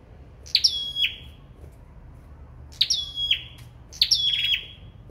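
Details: Three spaced phrases from a sâu đầu đỏ singing competitively: each a high sharp stab, then an even, shrill whistle stepping down at its close, with silence between.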